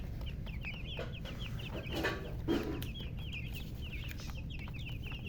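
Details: Chickens kept with a hen (murgi), colour chickens, chirping busily: short falling high peeps tumbling one after another, with a brief muffled knock midway and a steady low background drone.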